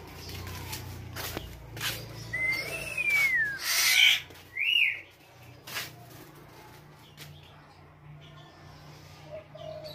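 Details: Tame female black-naped oriole singing vigorously: a long clear whistle that rises then slides down, followed by a short upslurred whistle, with softer notes and scattered clicks and rustling between.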